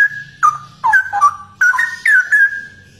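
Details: Cucak rowo, or Straw-headed bulbul, a rare songbird with a distinctive voice, delivering a continuous run of clear, fluty whistles, each note dropping in pitch, in roughly six punchy phrases.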